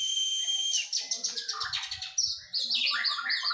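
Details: Oriental magpie-robin in post-moult training. A held harsh whistle gives way to a descending series of buzzy pulsed notes, then a string of rapid, repeated, looping high whistles. Soft low thuds sound midway.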